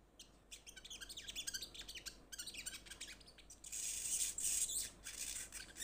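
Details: Olive-backed sunbird calling to companions: a dense, continuous stream of high chirps and twitters, ending in a louder sustained shrill trill and a few fast notes.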